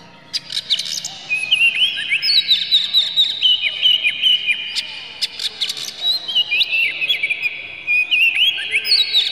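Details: Oriental magpie-robin singing an aggressive, phrase-filled song with tail spread, played to make other magpie-robins sing; clear high whistles, rising slurs and rapid tick series run steadily through the recording.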